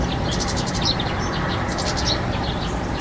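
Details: European serin giving two quick bursts of high, glittering, jingling notes about a second apart over a loud low background rumble.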